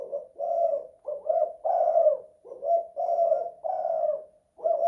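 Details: Two-kuk, one-guk song of a spotted dove indoors: repeated low coo phrases, some notes rising slightly before falling, spaced by brief gaps, clean with no background noise.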